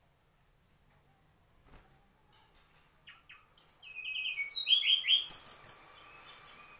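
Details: Mangrove whistler singing: one high whistled note, a pause, then a quickening run of clear whistled notes stepping between mid and high pitch for about three seconds before fading into quiet background.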